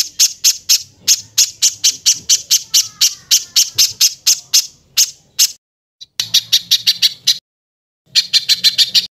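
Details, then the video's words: Masteran compilation clip of harsh 'tembakan kasar' bird bursts: fast scratchy high pulses in a long run, then short stuttering groups separated by abrupt silent gaps from editing, with a low hum in later parts. "Tembakan Kasar Masteran Kompilasi Mewah Untuk Semua Jenis Burung Cucak ijo, Murai batu"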